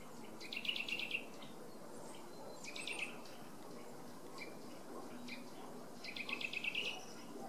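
Eurasian nuthatch giving three short bursts of rapid, clear piping notes, each run about half a second long, over a low steady background rumble.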